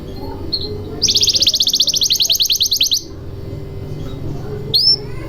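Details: Canary song meant to coax silent canaries into singing: a rapid, even trill of high notes for about two seconds, followed by a quieter stretch and one short upward whistle near the end.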